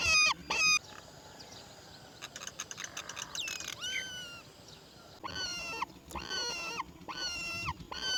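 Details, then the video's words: Young roller being fed black crickets by its mother. Harsh harmonic begging calls come at the start, then a quieter stretch with rustling and a short rising note, then a run of four strong repeated begging calls near the end. "Mother bird roller brings black crickets for baby to eat"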